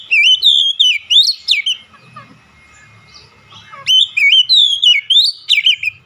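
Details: Energetic Oriental magpie-robin song: a run of clear, looping whistles and sharp upslurs, a brief pause with soft scratchy sounds, then a second fast whistled phrase.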